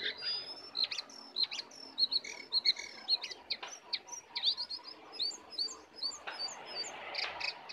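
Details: Wild lesser shortwing arriving to attack sings from some distance: scattered sharp high chips and short whistled phrases over a steady background hiss.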